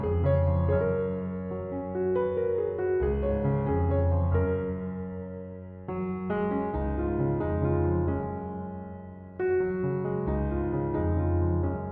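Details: Slow, sustained piano chords play throughout, with no bird or other animal voice.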